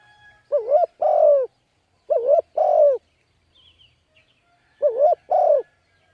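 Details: Spotted dove lure call: three well-spaced phrases, each a quick trembling coo then a fuller, gently falling note, with a faint chirp between them.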